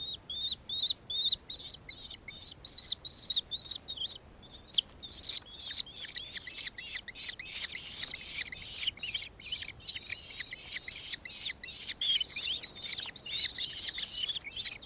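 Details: In Victoria, Australia, on 4 December 2024, a nankeen kestrel calls with a thin, evenly spaced series of high notes. After about five seconds it becomes a louder, denser, excited chatter of rapid shrill 'ki-ki-ki' notes that continues to the end.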